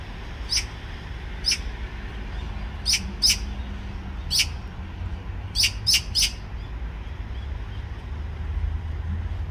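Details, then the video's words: Short-tailed young Eurasian magpie following a parent and begging for food without pause: sharp, harsh rasping notes given singly or in quick pairs and triplets, about eight in ten seconds, over a low steady rumble. "밥 달라고 따라 다니며 보채는 어린 까치(까치 새끼)"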